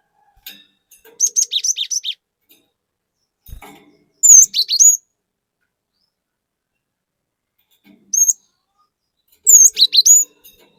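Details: Cinereous tit in variable 'gacor' song: a rapid run of repeated high notes, then whistled phrases with sharp downward slurs, a brief single whistle, and a final dense burst, with quiet pauses between them.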